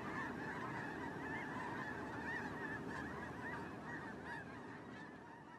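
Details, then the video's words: Migrating snow geese in a big flock, their many honking and yelping voices blending into a constant clamorous wash, with a low background roar of wind or motor underneath, fading slightly toward the end. "Snow Goose Migration"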